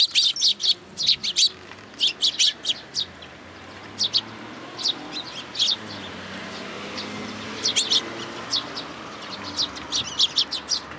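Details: At a Tenmangu shrine on 1 June 2022, a young sparrow in a plum tree calls to be fed. Loud, high chirps come in fast clusters, pause briefly near the middle, then resume in quick bursts.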